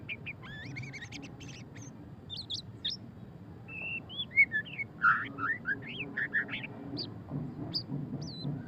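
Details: White-rumped shama (murai batu pastol) singing in the ngeriwik style: a varied run of sharp whistled notes, rising and falling sweeps and chattery bursts, loudest near the middle, over a steady low rumbling background.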